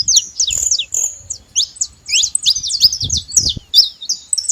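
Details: Saffron finches calling together: a few long thin whistles then a faster tumble of high chirps and twisting notes, with low knocks and rumble beneath.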